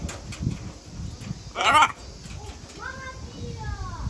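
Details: Talking macaws, a Harlequin and a Catalina macaw, at a tropical garden: a loud, raspy burst then several short, speech-like syllables with rising and falling tones over a murmur of visitors.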